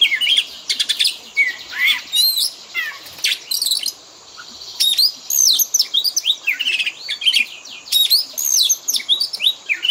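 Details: Oriental magpie-robin fill-in song used to train pet birds: loud, varied bursts of clear whistles, rising and falling slurs and rapid sharp trills, phrases separated by brief pauses, with one longer gap midway; no other sounds stand out.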